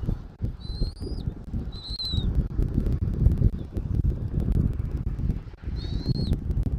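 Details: Nest-side bald eagle in Southwest Florida, 13 January 2024, afternoon: two high, thin whistled notes close together, a silent gap, then one more arched whistle, set against heavy low rumbling wind noise.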